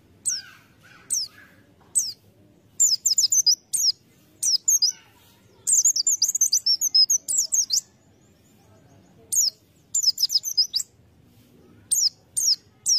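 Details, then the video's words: Lure-bird white-eye singing short, very high twittering bursts of quick chirps, some phrases longer and dense, separated by brief silences. "Pleci | Burung Kacamata bahan pancingan"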